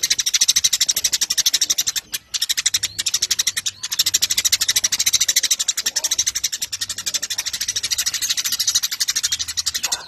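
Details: Eurasian tree sparrow singing in full voice, a long chattering run of rapid, rasping high chirps in an almost continuous stream, with barely a break over ten seconds.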